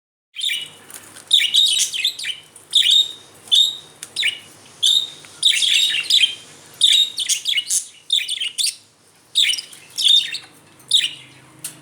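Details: Budgerigars (Melopsittacus undulatus) playing, chattering in quick bursts of high, scratchy chirps and warbles.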